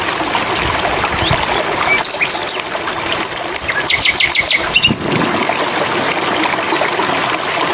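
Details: Flycatcher (sikatan londo) song used as training material for songbirds: scattered thin, high chips and short whistled notes, with a quick run of repeated sharp notes midway, over a constant loud hiss of background noise.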